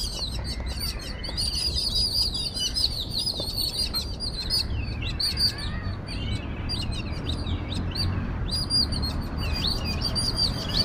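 A noisy group of jungle babblers keeps up harsh, squeaky chattering calls without pause as they mob a cat, over low background rumble.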